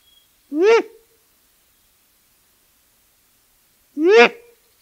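Great grey owl giving two hoarse, rising-then-falling whooping calls, each about half a second long and three seconds apart, with silence in between.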